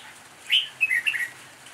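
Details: Red-whiskered bulbul giving an improvised song: a sharp rising note, then a quick run of short warbled, whistled notes, all within about one second, with a soft rain-like hiss behind.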